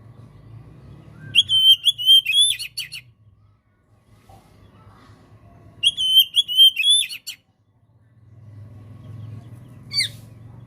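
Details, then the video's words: Oriental magpie-robin (kacer) tutor and prompting song: two similar phrases of clear, sliding whistles roughly five seconds apart, then a short sharp note, over a steady low hum. "MASTERAN DAN PANCINGAN KACER GACOR PALING DI CARI JURI! COCOK UNTUK KACER ANDA YANG MACET BUNYI !!!"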